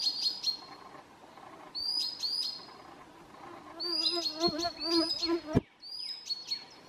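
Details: Common sandpiper calling in alarm near its nest at midsummer in Southern Savonia, Finland; thin, high whistled notes that slide downward, given in pairs and short series, with a brief patch of lower warbling and one sharp knock.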